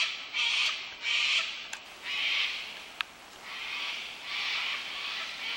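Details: Flock of cockatoos flying in the Blue Mountains, Australia: a series of harsh, raspy screeches, each drawn out for about half a second, with brief sharp clicks between them over a steady hiss.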